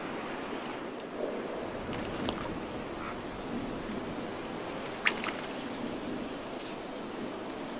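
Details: Steady rain patters on surfaces, with scattered drops and a sharp tap about five seconds in; no animal voice stands out.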